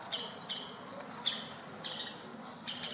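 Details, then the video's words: Wild woodpeckers at a city window in Berceni, Bucharest, Romania, giving harsh, sharp calls repeated at irregular intervals of about half a second to a second, over a steady low background hum. "Woodpecker talk"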